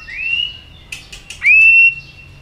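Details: A fired-up white-rumped shama gives a rising whistle that levels into a long pure tone, then a few clicks and a second loud, steady whistled note.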